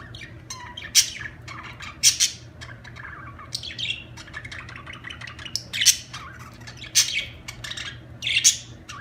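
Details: Budgies chattering in a busy stream of high warbles and clicks, broken about every one and a half seconds by loud harsh squawks, with a faint low hum underneath.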